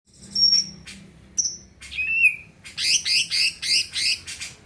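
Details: Greater green leafbird singing loudly to stir other birds into song: thin high whistles, a rising slur, then a rapid run of repeated buzzy, warbling notes.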